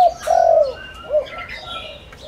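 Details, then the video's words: Spotted dove lure for wild doves gives a long, slightly falling coo followed by a short rounded note, with light chirping of other birds in the background. "Tiếng cu gáy mồi đất gáy gọi kích bổi cực nhạy"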